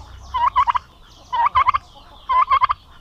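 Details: Domestic turkey males kept together on a farm in Paraná, Brazil, described as aggressive: three rolling, stuttering gobbles roughly one second apart, each a quick burst of pulsed notes, with quiet gaps between.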